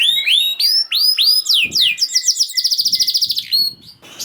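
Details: Canary singing used to encourage silent canaries; loud rising whistled sweeps, then a fast evenly pulsed trill fading into quiet background noise.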